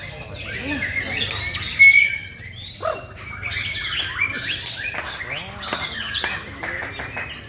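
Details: Male white-rumped shama (murai batu) from Indonesia in varied song, with rapid chirps, downslurred whistles and buzzy phrases following one another, plus a short burst of a clear rising note and background bird chatter.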